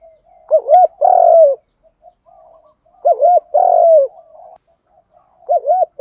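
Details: Spotted dove singing in the 'đồng pha thúc gù' voice, played to get pet doves calling: repeated phrases of two short wavering hoots followed by a drawn-out coo, about every two and a half seconds, with soft murmured notes between.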